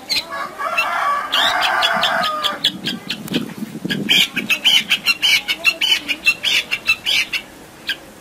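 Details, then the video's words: Long-tailed shrike in a master recording meant to prompt lazy birds to sing. A harsh, clucking burst gives way to a string of sharp, scratchy notes repeated almost twice a second, ending with a few faint chirps. "Cendet Gacor Full Isian"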